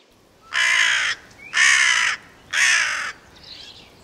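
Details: Carrion crow giving three harsh, broad, raspy caws, each about half a second long and spaced roughly one second apart, over quiet background hiss.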